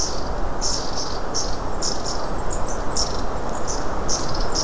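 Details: Long-tailed tits calling close by, recorded 24 January 2017 in the afternoon: thin, high notes repeated about every half second over a steady low rumbling background noise.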